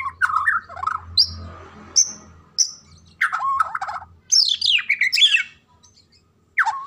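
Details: White-rumped shama song: mellow low whistles, sharp high piping notes and quick cascading slurred phrases, broken by brief pauses, over a faint low hum.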